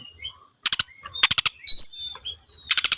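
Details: Oriental magpie-robin song used as a lure to get other birds singing: short buzzy rattling bursts of three or four notes, scattered soft chirps, and one loud, high, rising whistle in between.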